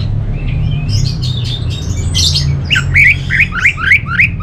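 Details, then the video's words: Soft, varied warbling from a kept orange-headed thrush gives way to a series of sharp rising notes repeated about three times a second. A low droning hum fills the background. "Suara ANIS MERAH"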